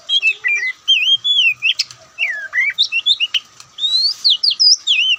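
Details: Indonesian white-breasted Oriental magpie-robin (kacer) singing loud, varied whistles: looping up-and-down slurs, sharp chips and sweet fluting phrases in quick succession, faint hum behind.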